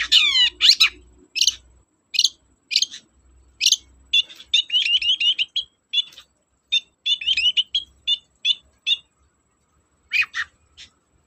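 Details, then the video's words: Lure recording of a long-tailed shrike singing to provoke silent shrikes: loud harsh squawks open, followed by fast varied chattering, then rapid sets of short, bright, evenly pitched trilled notes in bursts, tailing off with scratchy calls. "BURUNG CENDET GACOR, PANCINGAN KHUSUS CENDET MALES BUNYI"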